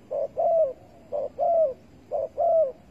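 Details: Spotted dove heard during bird trapping with bare bait, recorded 15 August 2020; low hollow cooing, a short coo followed by a longer drawn-out coo, the pair repeated three times about once a second.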